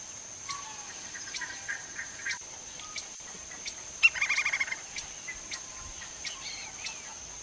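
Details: Lineated woodpecker (Dryocopus lineatus, red-crested woodpecker) in Brazil, foraging for food, gives a quick, even run of about eight sharp, ringing notes; scattered softer calls and a steady high insect drone run throughout.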